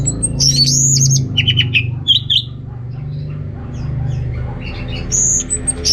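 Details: Singing orange-headed thrush, Singaraja, Bali, used to encourage males with low breeding drive: high sustained whistles and short chip series in the first seconds, then quieter scattered notes over low droning background.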